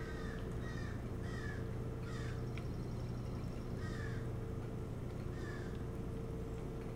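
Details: Osprey at a nest on Hog Island near Bremen, Maine, nest cam, 25 July 2018 around 3–4 a.m., gives short, slurred, downward whistled chirps in pairs and small bursts over a steady low electrical hum.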